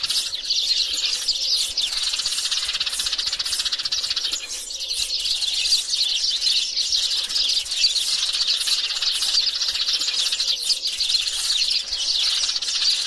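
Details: Large group of sparrows, males and females, keeping up a constant, busy chorus of high chirps and twitters. Many birds overlap in an even, unbroken wash of bright chatter for over ten seconds.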